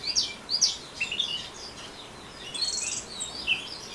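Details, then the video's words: Ngeriwik song of an orange-headed thrush: bright high twittering notes and short whistled chips in quick clusters, briefly pausing mid-phrase before resuming, with soft hiss behind. "Anis Merah Ngeriwik"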